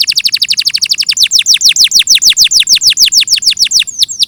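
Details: Clear canary song: a quick trill of falling notes that slows into evenly spaced, louder downswept whistles, roughly five per second, with a curling note at the end.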